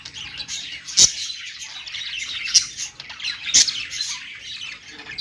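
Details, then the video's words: Pet budgerigars singing on a perch: a continuous high chattering warble with sharp squawks near one, two and a half and three and a half seconds. "budgies singing on perch"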